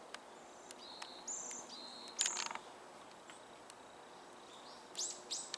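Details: Varied tit singing in a Tokyo nature park on a snowy 8 February 2026: a few thin, high whistled notes, some held, some dropping lower, with scattered sharp ticks and a quiet outdoor hush behind.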